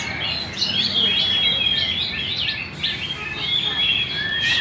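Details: Lively magpie-robin song recorded in Banjar, a rapid run of bright chirps, short slurred whistles and a few long pure notes, delivered almost without pause against faint ambient noise.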